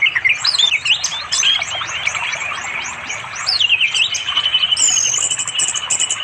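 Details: Orange-headed thrush singing melodiously to call a female for mating, afternoon, river in remote East Java village forest, Android recording; rich rapid run of varied whistles, slurs and trills, ending in high sweet notes, over flowing water.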